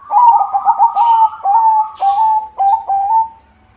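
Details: White zebra dove with a good singing rhythm, used to lure others: loud, rich rolling coo notes delivered in quick pulses, each phrase slightly falling, with faint rustling clicks between.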